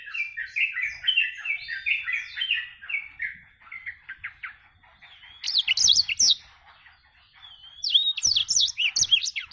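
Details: Black-throated canary singing energetically. A long, rapid warble of varied chirps and twitters opens the song and slowly fades. Two later bursts are higher, sharper and more buzzy.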